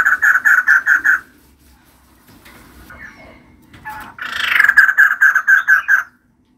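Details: Female white-crested laughingthrush in full song: a run of six evenly spaced, ringing harsh notes, a quiet pause with soft rustles, then a harsh burst and another even series of about eight notes.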